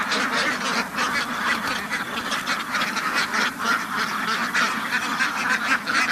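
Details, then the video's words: A farm duck flock produces busy, pulsing quacks, many birds calling at once in a rough, rhythmic clamor. "duck farm ducks house بطخ بطخوں کا فارم"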